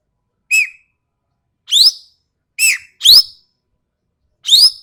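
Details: Ekek keling from Sumatra with a sharp, harsh voice: loud, rasping notes spaced about a second apart, some arching down, others sweeping upward, on a silent clean background.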